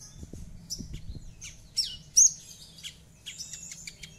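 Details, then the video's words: Javan bush lark in full song, used as a lure to prompt a silent bird to sing: scattered thin, very high chirps and short whistled slurs, with a few louder squeaky notes in the middle and faint low rumble beneath. "Langsung Nyaut Dan Ikut Bunyi Dengan Pancingan Branjangan Gacor Ini || BRANJANGAN MACET IKUT BUNYI"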